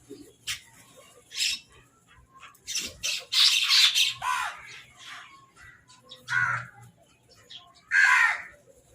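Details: Crows fighting over food give harsh, raspy caws in irregular bursts, with a longer run of rough squawks midway, heard in a quiet, close setting.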